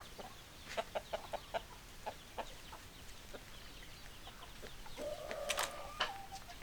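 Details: Chickens clucking: short, sharp clucks in an uneven run over the first half, then a louder, drawn-out call near the end with a steady tone, over a constant background hiss.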